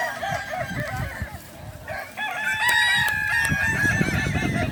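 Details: Balenggek roosters at a crowing competition in Danau Bawah, Solok Regency, on Sunday 6 October 2024; after a quieter start, a long stepped crow of several linked syllables rises in, over steady crowd chatter and background noise.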